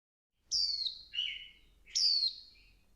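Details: Female Swinhoe's white-eye calling to stimulate the male into heated song: high, thin downslurred notes alternating with a lower, buzzy note, two clear phrases about 1.5 seconds apart in quiet surroundings.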